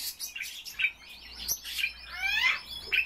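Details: Common starling kept indoors, singing while keeping warm: a varied medley of high whistles, clicks and buzzy notes, with rising sweeping glides near the end and a sharp whistle to finish.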